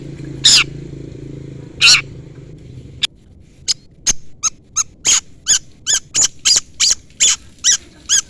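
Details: Long-tailed shrike rival-calling: two harsh buzzy notes over low hum, then a quickening series of sharp, scratchy clicks and squeaks, about two to three per second.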